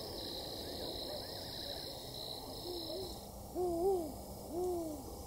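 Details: Two spotted eagle-owls (Bubo africanus) calling back and forth near a camp in Tembe Elephant Park, KwaZulu-Natal, South Africa, July 2019: soft, deep hoots, each gently rising then falling, about a second apart, over steady high insect hiss and faint distant chatter.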